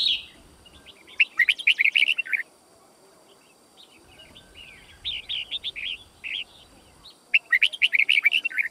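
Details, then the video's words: Red-whiskered bulbul song used for training other bulbuls: three bursts of rich, bubbly warbled phrases, each quick run of liquid notes lasting about a second, separated by brief pauses. "Chào Mào Hót"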